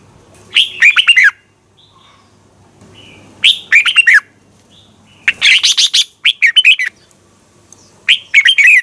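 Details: Red-whiskered bulbul used to spur contest singing, delivering repeated loud warbled phrases, some longer and busier, separated by brief gaps.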